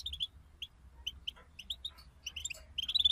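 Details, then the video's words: European goldfinch group twittering (bitbita) used to prompt a kept goldfinch to sing: soft, evenly spaced bright chirps building into a quicker twittering run at the end, over a low rumbling background. "أخرج حسونك من صمته واكتشف التغاريد المخفية لديه.. بتبتة رهيييبة وتحفيز خراااافي"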